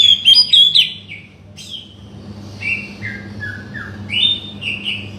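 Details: Oriental magpie-robin song meant to goad a quiet bird into singing: a loud burst of fluty whistles, then softer descending whistled notes stepping downward, ending with brief rising whistles.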